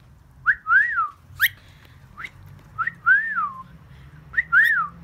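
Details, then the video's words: A pet rainbow lorikeet gives clear, arched whistles that rise then fall, in pairs and short runs about every second, with a few sharp clicks and faint room hum. "Rainbow lorikeet talking and whistling"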